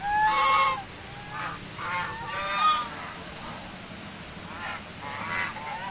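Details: White domestic geese honking, a loud harsh call to open, then a run of softer nasal honks spaced around a second apart, fading to quieter calls at the end.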